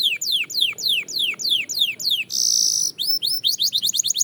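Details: Belgian canary singing for training: a series of falling slurred whistles, a brief harsh buzzy burst, then quick rising chirps that speed into a rapid run.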